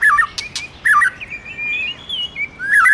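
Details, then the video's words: White-rumped shama song prompted by a female: rich warbled whistles, a looping low phrase, then long sliding whistled notes with a couple of brief sharp clicks. "Chòe Lửa Hót Hay Má i Kích Trống Căng Lửa/Tiếng Chòe Lửa Hót"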